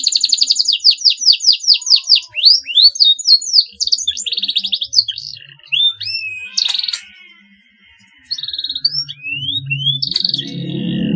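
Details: Canary singing at length to set rival birds singing: a run of high, strongly repeated downslurred notes, then spaced whistles and short trill bursts with quieter gaps and a low rumble near the end.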